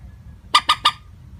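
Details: Three quick, harsh clucking notes of a common moorhen, an even, unvaried call used as a trapping lure, over a faint low rumble.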